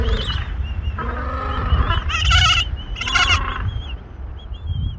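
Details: Gentoo penguin mother feeding her chicks. Harsh, harmonic braying bursts rise and fall across a few seconds, with steady low wind rumble underneath.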